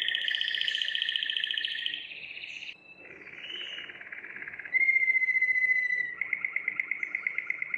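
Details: Belgian Waterslager canary, a breed raised for its voice, in song training: a continuous sequence of rolling, bubbling trills that shifts between phrases, from fast warbling rolls to a steady pure whistled tone and then quick repeated pulsed notes.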